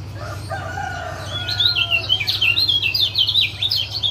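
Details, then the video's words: Male lemon-bellied white-eye, Lombok type, used as a lure for a caged male that has stopped singing: faint low tones at first, then a fast burst of sharp, high chirping chatter over a low hum. "Masteran Ampuh Ciak Jos Kecial Kuning"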